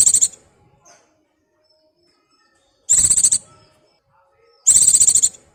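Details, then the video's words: White-eye in breeding condition calling a partner, used as a lure: very high, buzzy chattering bursts repeated about every two seconds, three in total, each a tight run of rapid notes, with a quiet background. "BURUNG PLECI BIRAHI GACOR MEMANGGIL PASANGAN"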